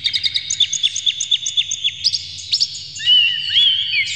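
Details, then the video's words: An excited Oriental magpie-robin with its tail fanned repeats crisp downslurred notes about twice a second, then switches to a sustained warbling whistle. Faint low hum in the background. The performance is intended to spur other magpie-robins to sing. "dijamin kacer langsung ngamuk2 dengar kacer ini bongkar emosi buka ekor ngobra full isian"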